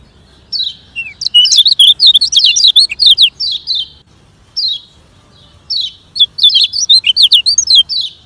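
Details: Lemon-bellied white-eye delivering rapid 'ngejoss speed kenceng' song for training: bursts of quick, high, zigzagging whistled notes, a lone chirp in the pause, then another dense fast phrase.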